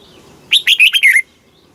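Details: Red-whiskered bulbul song from Thailand, southern master-style phrasing, played to stimulate caged birds and teach young birds: one short loud phrase of five or six bright whistled notes, slurring downward near the end, over a quiet background.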